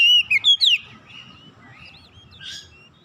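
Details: Oriental magpie-robin song used to tutor a raw bird: four bright whistled notes in quick succession, then quieter looping whistles and a soft buzzy note over a constant faint hum.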